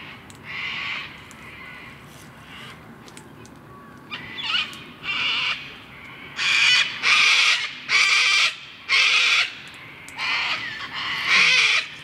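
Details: Gang-gang cockatoos on the slopes of Mount Majura, Canberra, on 19 February 2017, giving harsh, creaky, rasping calls like a squeaky gate, about a dozen bursts that come faster and louder in the second half.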